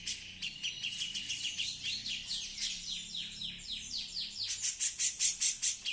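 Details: Female Cucak jenggot singing actively, a dense run of high, fast, sweeping chirps that quickens near the end into loud clipped notes repeated about twice a second.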